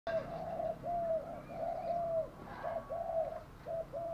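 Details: Decoy spotted dove cooing to lure wild doves: quiet, hollow mid-pitched coos in short-then-long pairs, about one phrase per second, against a faint background hiss.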